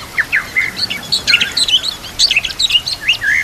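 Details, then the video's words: White-rumped shama song used to train other shamas, set against natural sounds and trickling water: fast, varied twittering and slurred whistles over a steady background hiss. "Murai Batu Full Gacor Murai macet langsung Gacor Masteran Murai"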